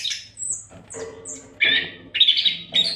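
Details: Oriental magpie-robin in continuous training song: thin high whistles followed by loud harsh, buzzy bursts repeated at short intervals, with a low background hum.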